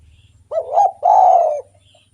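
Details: Spotted dove singing actively, a recording meant to lure or stimulate other doves: a short wavering low coo followed at once by a longer, steady, sustained coo, the whole phrase lasting about one second against a quiet background.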